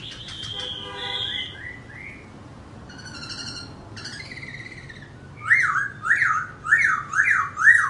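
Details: Singing and dancing laughingthrush: a varied medley of buzzy trills and short whistled phrases, building to loud, ringing, strongly rising-and-falling whistles repeated about once a second.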